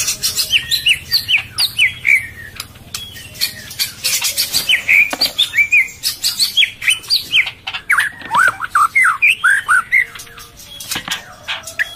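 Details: Breeding female white-rumped shama feeding its chick, calling to stimulate males; a long steady stream of sharp arched chirps, several per second, with clicks and light clattering between the notes.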